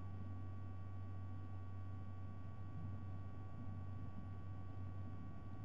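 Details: Constant low electrical hum and soft white-noise static fill the recording, and no animal is heard.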